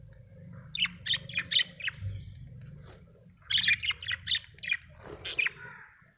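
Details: Happy pet budgerigar chirping in two bursts of quick, bright, high chirps and short warbled notes, separated by a quieter pause, with a low hum underneath.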